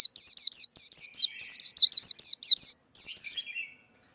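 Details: Male white-eye song, used for training young birds and as a trapping lure: a continuous run of about fifteen quick, high, wavering whistled notes. It ends with a soft, lower buzzy trail.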